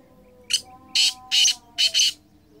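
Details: Black francolin (kala teetar), a caller bird: a harsh, grating phrase of four to five rasping broadband bursts, the last two close together, over a faint steady low tonal hum.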